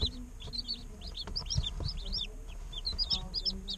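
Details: Several day-old chicks peep at once, a dense, overlapping chorus of short, shrill, downward-sweeping chirps with no pauses, over a steady low hum.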